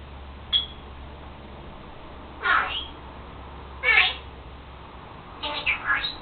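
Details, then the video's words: Indoor pet Senegal parrot that talks, copies its owner's sneezing and makes taught farting sounds; scattered short squawks and chattering notes come at irregular intervals of one to two seconds, ending in a quick three-note burst, over a low hum. "Senegal parrot Lucy talking...and making sneezing sounds.."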